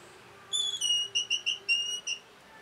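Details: Orange-headed thrush song used as a rapid provoking call for caged birds: a short clear whistled phrase, a held high note followed by about six quick slurred whistled syllables, over faint background hiss.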